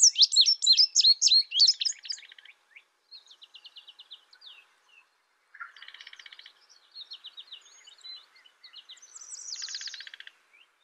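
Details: Indigo bunting giving high, varied song phrases: a burst of quick sharp chirps, then softer buzzy trills and a dry rattling run, separated by short pauses.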